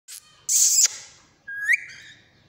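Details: Tame green ringneck parrot kept at home gives a brief harsh screech, then a clear whistled note that rises sharply before fading.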